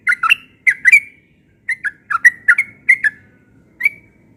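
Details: Yellow-vented bulbul singing in the morning: bursts of liquid, bubbly whistled notes around two kilohertz, paired phrases with short pauses, ending with a single rising note.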